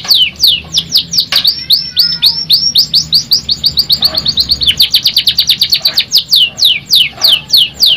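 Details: Canary singing, used as a prompt to get a stressed canary singing again: long run of high, sharply down-slurred chirps that speed into a rapid trill midway, then slow again.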